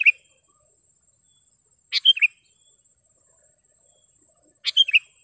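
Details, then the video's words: Sooty-headed bulbul, a clear, sharp singer used to train caged birds and attract wild ones; short bubbly phrases of a rising note and two falling whistles, spaced nearly three seconds apart, against a faint high insect buzz. "SUARA BURUNG KUTILANG GACOR TAJAM DAN JERNIH"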